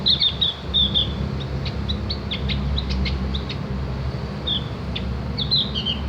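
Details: Javan grey-throated white-eye song used for training other birds: high twittering notes and brief clicks open the clip, then a pause and renewed chirping, over a low droning background hum.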